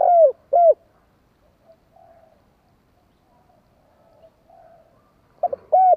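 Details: Spotted dove kept as a caged decoy, with two short mellow coos at the start, quiet soft cooing in between, and two more coos at the end.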